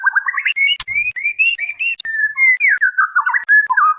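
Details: Female white-rumped shama calling for the male in a lure recording: sweet, mostly level whistles and short slurs, one long steady note midway, then a burst of quick wavering notes, with occasional faint clicks.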